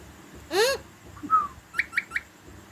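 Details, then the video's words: Pet talking parrot saying its own name: a loud, harsh, harmonic squawk-like syllable, then a short whistled note that slides downward, then three quick, evenly spaced clipped notes. "talking parrot"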